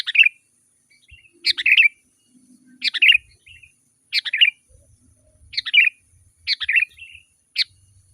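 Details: Gacor, rolling sooty-headed bulbul song used to lure wild birds: short liquid bubbly phrases repeated roughly every second and a half over near-silence, with faint thin high hiss.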